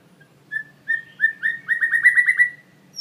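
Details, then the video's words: A white-rumped shama sings a song filled with mimicked phrases of other birds: clear whistled notes quickening into a rapid, rising run of bright repeated phrases, over faint low background hum. "Full Isian Murai Batu"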